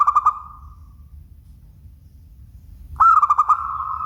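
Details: Song of a local zebra dove, the end of one trilled cooing phrase fading out, then after a quiet gap a new phrase of rapid pulsing coos stretching into a long held note.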